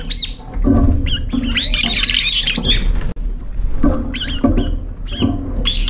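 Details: Several brown-eared bulbuls arriving late at a nearly empty feeder, competing for food and fighting, flying up and chasing off approaching birds; harsh squealing calls with descending and rising strokes in bursts, with low rumbling background noise.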